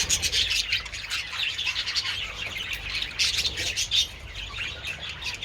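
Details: A group of budgerigars out in the sun with treats on 27 February: bright, rapid warbling chirps and clicks pour out nonstop, in bursts that rise and fall every second or so.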